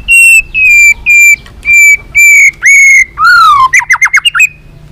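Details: White-rumped shama training song meant to provoke other shamas. Sustained ringing whistles repeat about every half second, then a lower, drawn-out slurred note, ending in a quick burst of short descending whistles.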